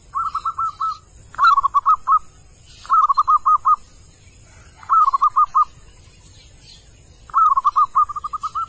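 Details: A wild male zebra dove calls, giving five short phrases of rapid, staccato, bubbling coos, each ending in quick rolling notes, over faint hiss.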